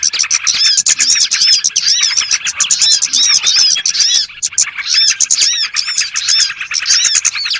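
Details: A trapping lure of small birds: many high, quick chirps and arched upslurred notes crowd together without pause, forming a busy, shrill chorus of several overlapping voices.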